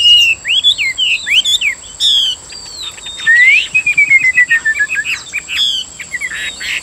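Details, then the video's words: Chinese hwamei, a kept bird in Vietnam with a plump body and cockroach-brown wings and tail, sings loud varied whistled phrases, quick rising and falling notes, then a long descending slurred whistle; a steady high electronic whine runs throughout. "Họa mi hót hay"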